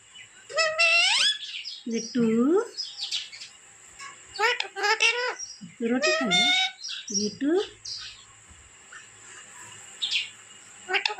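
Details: Parrot kept as a pet mimicking speech: a series of squeaky, word-like phrases with rising and falling tones, mixed with short high chirps and brief quiet gaps.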